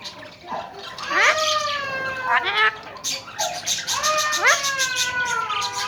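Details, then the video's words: Tame talking Alexandrine parakeets in Pakistan give rich, word-like utterances, about four phrases in six seconds, each swooping up then sliding down with a mewing, nasal tone. "Talking and tame alexander kashmiri raw parrots"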